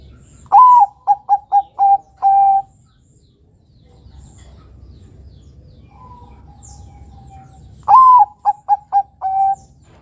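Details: Zebra dove, a Bangkok-type perkutut, used as a lure to train young doves to sing: two loud phrases, each a rising opening note followed by four or five quick cooing pulses ending in a longer held coo, with a soft coo between.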